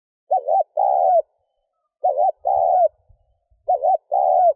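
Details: Spotted dove cooing, used to stir up a decoy bird: three paired coos, each a short wavering note followed by a longer steady one, low and mellow, repeating about every two seconds, with faint thumps between phrases.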